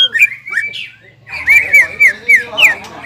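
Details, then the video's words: Greater green leafbird gacor song in ngobra and jamtrok style: a few whistled slurs, a pause, then five loud down-slurred whistles in quick succession. "CUCAK IJO GACOR INI NGOBRA DAN JAMTROK SUARA GACORNYA BIKIN CUCAK IJO MANA PUN EMOSI"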